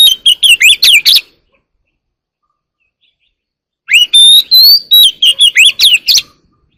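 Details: Early-morning song of a wild Oriental magpie-robin: rapid strings of sharp, bright whistled notes and chips in two bursts, about a second each, with a quiet gap of nearly three seconds between them.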